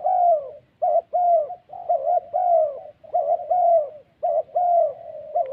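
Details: Spotted dove giving the thổ call in the wild forests of Vietnam's Central Highlands, recorded during decoy trapping. Strong, low, hollow coos run in dense phrases of short clipped notes and longer bending notes, with almost no pause between them.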